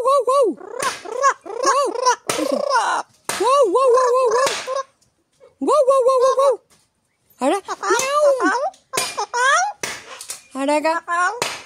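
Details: A talking parrot speaks Spanish words such as "mi amor", "rico" and "frío" in short, high, speech-like phrases with arching rises and falls, separated by brief pauses, with a few sharp clicks between words.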